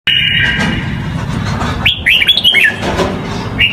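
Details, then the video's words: Red-whiskered bulbul singing a Huế-style song, used to train young birds; one short burst of whistled, slurred notes that rise and fall, set against a steady low rumbling background. "Chào Mào Huế Giọng Hay"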